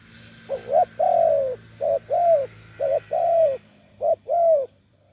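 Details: Wild spotted dove with a deep voice cooing: four repeated phrases, each a short hoarse note followed by a longer, mellow, slightly falling coo, roughly one phrase a second, over a faint low hum.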